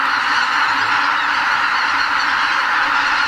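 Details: About 80,000 migrating greater white-fronted geese leave their roost at Lake Miyajimanuma, Hokkaido, early in a spring morning before sunrise. A steady, crowded chorus of high yelping honks fills the whole stretch without gaps.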